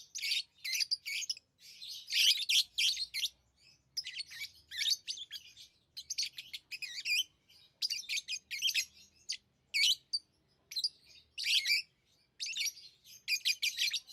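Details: Pet lovebirds, hand-tamed, keep up lively chirping: loud scratchy bursts of rapid high notes lasting one to two seconds, broken by short silences, with occasional single sharp chips between.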